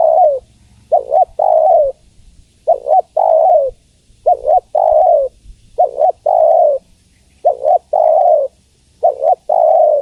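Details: Female spotted dove calling to a male in a steady sequence of about seven coo phrases, each a quick double note and a longer falling coo, repeated every one and a half seconds.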